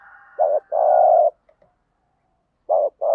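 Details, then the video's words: Spotted dove cooing aimed at prompting decoy doves to coo; a short note and long held coo, a quiet gap with tiny clicks, then the phrase beginning again. "tiếng chim cu gáy kích bổi hiệu quả mỗi ngày. bổi nghe gáy theo"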